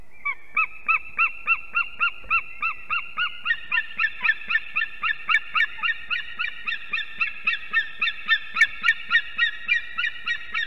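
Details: Two unringed adult eagles at a nest camera in Ķemeri, Latvia, calling at 6:01 am on 8 March 2024 during arrival and mating. A steady chattering of yelping notes, about three to four a second, runs for eleven seconds, slightly rising mid-way.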